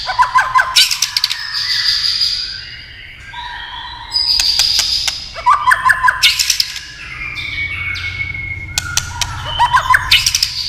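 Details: White-rumped shama, stimulated by tail-tapping, sings bursts of rich chattering phrases separated by pauses, with loud clicks and a lower hum in the background.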